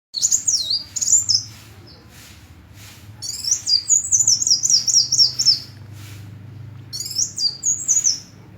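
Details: Small sunbird giving bursts of very high, thin, zigzagging twitters in three phrases separated by short pauses, each phrase a quick run of rising and falling notes.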